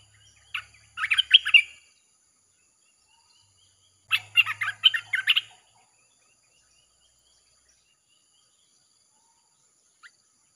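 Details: Red-whiskered bulbul song in the 'chopping' style played to attract wild birds: two brief bursts of bubbly, rapid whistled notes about three seconds apart, then a long quiet stretch ending in a single faint note.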